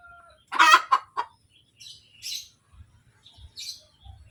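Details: Hen cackling after laying: one loud harsh burst of three quick clucks, then quieter high chirps from other birds and low thumping noises.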